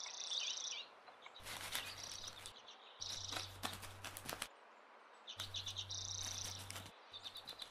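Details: Redpoll among birds by the river Svartån in Västerås, Sweden: quick high chattering chirps in short runs, broken by bursts of rustling wingbeat-like noise and a low steady hum.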